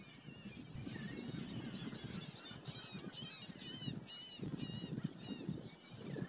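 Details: American oystercatchers at Fort DeSoto, Florida, in late September 2018 give a rapid series of loud, ringing, slightly arched piping notes, several overlapping, over a steady low rumble of wind and surf.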